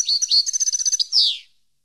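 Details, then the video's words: European goldfinch singing, recorded to educate captive goldfinches: a quick phrase of high, twittering notes running into an even trill, ending in a harsh downward-sweeping buzz. "CD Canto Para Educar Jilguero"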